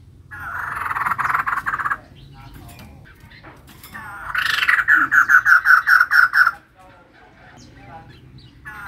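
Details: Female white-crested laughingthrush singing hard: a rasping buzzy burst, then a rhythmic series of about a dozen loud repeated harsh notes, over a faint low background hum.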